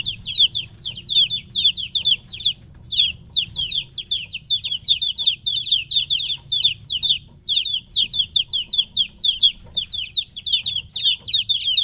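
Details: A group of young chickens about three weeks old, separated from the hen, keep up an almost nonstop stream of shrill falling peeps with only one short gap, low background hum throughout.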